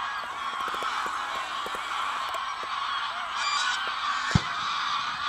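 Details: Over 500 wild greylag geese rising in flight with a similar number of lapwings at the Ex-risaia di Bentivoglio WWF oasis, Italy, afternoon of 21 November 2009; steady wall of massed honking, a single loud thump near the end.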